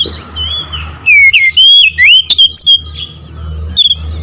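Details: Oriental magpie-robin delivering a rapid burst of loud, looping whistles and sharp clicks after a quiet start, ending with faint whistles and a brief final chirp; low hum in the background.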